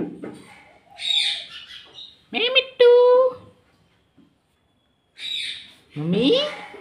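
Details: Pet ring-necked parrot trained to talk, repeating a word like "mummy" several times in a quick, raspy voice, then "mitthu" in a rising, whistly tone, with a person's voice heard between phrases.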